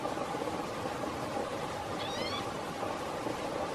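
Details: Single thin, nasal mew from a preening green-tailed towhee (Pipilo chlorurus), Blackwood Canyon, Placer County, California, August 29, 2017; a brief slurred note midway through, set against constant low rushing noise.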